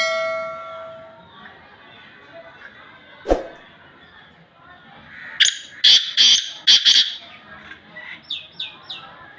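Black francolin giving a loud, harsh, grating series of about five rasping notes, then a few softer falling notes; a brief tone and a sharp knock come first.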